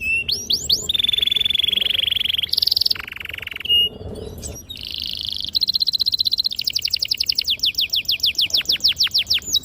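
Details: Canary in long rolling song used to prompt young canaries to answer: sustained buzzy trills, a brief pause, then a fast even trill breaking into steady downward-sweeping whistled notes.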